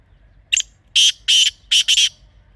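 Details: Wild Pakistani black francolin, or kala teetar, in a natural setting: one short thin note, then four coarse, grating notes in two closely spaced pairs, loud and clear against a quiet low background.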